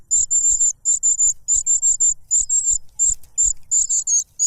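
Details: Cuckoo chick noisily begging while grabbing food from its foster parent, which stuffs a butterfly into its mouth; rapid bursts of very high, thin, hissing notes in doubled and tripled groups, almost without pause.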